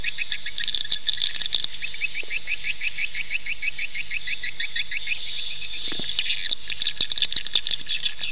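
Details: Swiftlet call for luring swiftlets into nesting: long runs of fast, evenly spaced sharp chirps in rattling trains, with a brief louder burst of chatter near the end.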